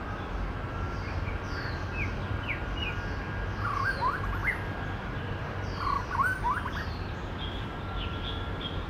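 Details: Male white-rumped shama imitating other bird voices in woodland: varied short whistles, quick upslurs and clustered warbled phrases, with soft distant chirps and continuous low rumble behind.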